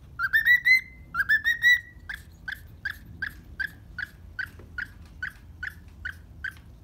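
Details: Happy pet cockatiel calling in the morning: two rising warbled whistle phrases, then a steady series of short clipped chirps about once a second, against a soft background hum.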